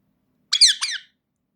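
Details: A pet talking Indian ringneck parakeet, recorded 13 January 2026, gives a quick two-part utterance, harsh and high-pitched, lasting about half a second in an otherwise quiet room.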